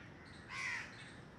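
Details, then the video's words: A crow gives an alert call, one harsh, hoarse caw about a third of a second long against a quiet background, while a squirrel rests on the ground; the squirrel then runs away. "Crow alert sounds"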